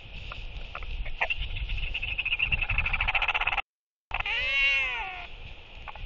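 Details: Northern royal albatross, one of four socializing birds practising courtship displays on 23 October 2023 at early evening. Rapid clattering pulses like bill clapping, then a wavering, braying harmonic call about one second long. Steady wind rumble underneath.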